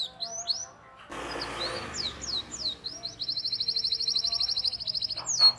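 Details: Canary singing for young canaries to learn from: high slurred notes, a short noisy burst, then falling whistles leading into a long, tight, fast roll.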